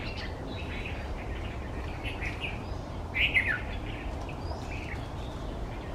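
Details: A white-browed bulbul in banyan and neem trees eating berries early in the monsoon; faint chatter, then one loud, quick descending chattering phrase near the middle, over low continuous noise.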